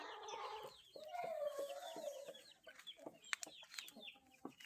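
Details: Índio Gigante rooster crowing: a single drawn-out low harmonic note lasting about a second, held steady then gently falling, set amid busy chirping of small wild birds and some broadband clatter.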